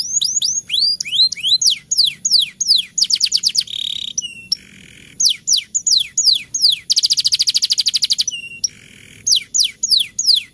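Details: Rolling canary song played during the rainy season to coax reluctant birds into singing, mixing quick falling whistled notes, dense rattling trills and short flat tones in shifting tours.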